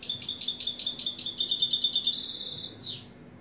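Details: Song of a European goldfinch: a fast run of bright, repeated tinkling notes that slides into a dense buzzy rattle and finishes with a falling slurred note.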